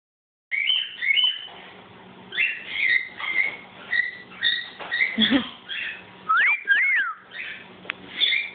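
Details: A pet cockatiel sings a run of clear whistled phrases, with bright rising-and-falling sweeps near the end.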